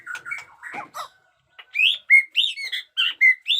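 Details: Singing white-rumped shama with new feathers: mixed chattering notes, a brief pause, then a sequence of loud, clear rising whistles repeated about every quarter second, in the batuk koral and muntah beling style.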